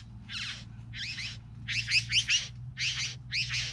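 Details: Three bowerbirds giving short grating calls, five rasping bursts, some doubled into quick pairs, spaced irregularly, with a constant low hum behind them.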